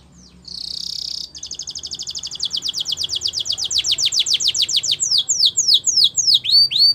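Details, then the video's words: Canary champion training song opens with a brief buzzy tone, then an accelerating rolling trill of descending notes lasting several seconds, ending in louder, slower curving whistles. "Canary Training Champion Song"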